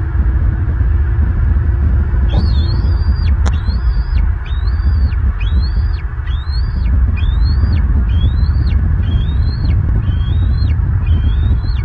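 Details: At a southwest Florida nest on 30 March 2023, the eaglet E22 gives about ten high, thin squeals, each rising then sliding down, roughly one per second, over a low wind rumble, calling for sibling E21's return after fledging.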